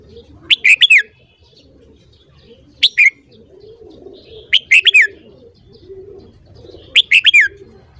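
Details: Red-whiskered bulbul morning song, used to train bulbul singing: four crisp phrases of rapid slurred whistles, each about half a second long, roughly every two seconds, over faint low cooing and murmur.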